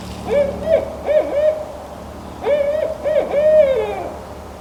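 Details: A barred owl in forest at Wasaga Beach gives two close, clear bursts of rich, wavering hoots, each three or four throaty notes rising and falling, with no answer; the observer wonders whether it is calling its mate.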